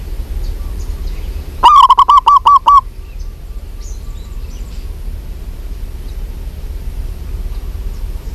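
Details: A female zebra dove of a local strain calls out once to a male: a single tight burst of rapid, evenly pitched clipped notes lasting about a second, then faint background noise.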